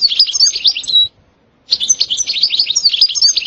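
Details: European goldfinch song in the sitsita and bitbita styles. Quick, high, jangling twitters and buzzy trills stop for half a second, then resume as a dense, sparkling chatter.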